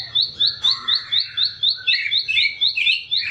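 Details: Bar-winged prinia song for tutoring songbirds in cages: high rising chirps in a quick series, slightly uneven, while another bird adds louder varied twittering phrases toward the end.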